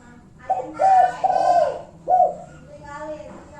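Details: Spotted dove lure call in the 'kuk satu' style, used to anger rival birds so they reply: a soft short note, two drawn-out throaty coos, then one separate final coo, followed by faint low murmuring.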